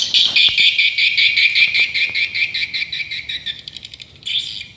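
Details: Swiftlets at a swiftlet house: dense, high, buzzy chirps pulsing in rapid, fairly regular succession, fading toward the end before a brief louder burst, with a few faint knocks underneath.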